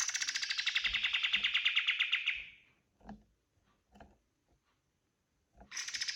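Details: White-eye singing a master song for training other birds: a quick, slightly falling trill for over two seconds, some scattered soft clicks and taps, then the trill starts again.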